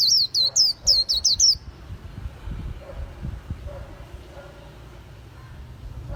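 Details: Quick run of about seven high, sharp, curling chirps from a white-eye, followed by several seconds of low background rumble with no further song.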